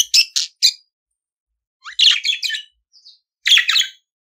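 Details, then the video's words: Budgerigar singing, in a recording meant to teach pet budgies to sing: short bright chirps in quick bursts, a pause, then scratchy warbled phrases and a brief buzzy note, clean background. "CANTO DO PERIQUITO AUSTRALIANO - Ensine Seu Periquito Cantar !"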